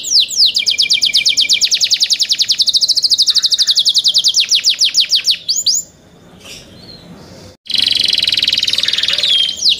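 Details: Young canaries, kept birds, singing loudly: long runs of rapid repeated downslurred whistled notes, then a pause and a fast dense trill.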